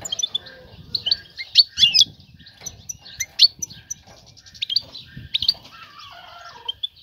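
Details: European goldfinch female calling to attract a male and prompt him to mate and build a nest: short bright tinkling chirps and twitters, clustered in bursts with brief pauses, over faint low rustling.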